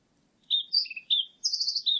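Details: Blue-and-white flycatcher in 2020 giving a lively song of alternating high and low whistles, a short low trill, and a sustained high buzzy warble, with faint low background rumble.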